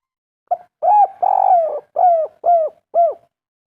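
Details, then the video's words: Soft kuk 3 cooing from a local natural-type spotted dove. A short note is followed by a long, breathy, falling coo and four smooth hollow coos in an even rhythm. "Derkuku kuk3 lokal gacor ngamuk suara empuk burung derkuku asli lokal alam"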